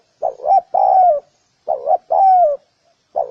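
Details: Mellow cooing of a spotted dove, two full phrases and the start of a third, each a quick pair of rising notes leading into a longer falling coo; clean, quiet background.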